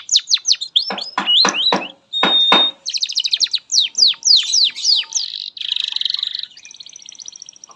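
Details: Canary song intended as a master for young canaries: loud broadband sweeping notes, a sustained pure whistle, quick trills, then a buzzy phrase fading into a thin rapid trill.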